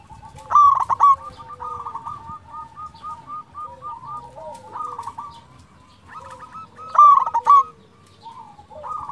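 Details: Singing local zebra dove used to bait rival birds into replying: a loud bubbling trill near 0.7 seconds and another near 7 seconds, with a busy background of many doves giving quick repeated coo notes.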